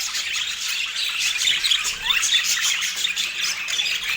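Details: Pet budgerigars in busy, unbroken high-pitched chatter, with squawks, short chirps and scratchy warbles tumbling over one another without pause.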